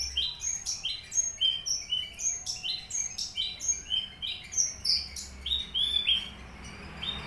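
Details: Actively singing caged Horsfield's bush lark of the Papuan subspecies aliena: a fast, continuous stream of sharp high chirps and clipped whistles, pulsing several times per second.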